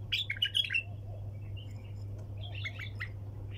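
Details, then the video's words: Bulbul song in the sayyad style: a lively burst of bright, rolling chirps at the start, a quiet stretch with faint notes, then another chattering phrase, with a low electrical hum throughout. "احلى طك جناح بلبل طور صياد بدون توقف"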